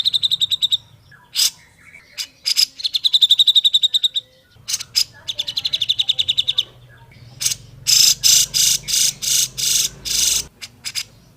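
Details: Grey-cheeked bulbul used as a training song for other bulbuls: fast chattering trills and bursts of notes, ending in loud harsh broadband rasps repeated about twice a second.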